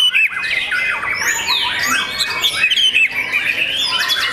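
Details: White-rumped shama, a young contest bird, giving a loud, varied song of high sliding whistles, squeaky notes and buzzy chatter in quick succession.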